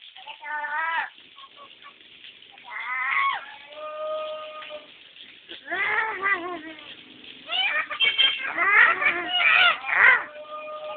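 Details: A pet lory being bathed imitates a crying baby with wavering, whining wails in short bursts, while a person talks and coaxes it to keep bathing.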